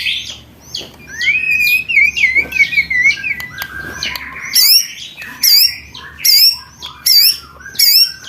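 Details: Song material for training contest white-rumped shamas: a rolling series of upward-bending whistles, then high, sharp, looped whistles repeated about once a second with pauses between them.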